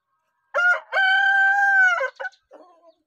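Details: Rooster crowing: a brief clipped opening note, then a loud, sustained, harmonic-rich cry held level for about a second, ending in two quick broken syllables and a soft, faint trailing note.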